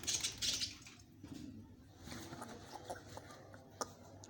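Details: Three budgerigar chicks give a brief burst of high, raspy chirps, then soft scattered clicks and scratches.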